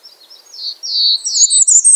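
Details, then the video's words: Bay-breasted warbler calling with a thin, high series of slurred notes that swell in loudness, then jump higher into a rapid, sibilant twitter at the end. The background is quiet. "Bay breasted warbler Calling."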